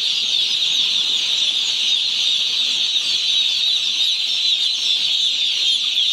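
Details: Poultry-farm chickens just one day old, a continuous high chirping chorus, even and dense from start to end.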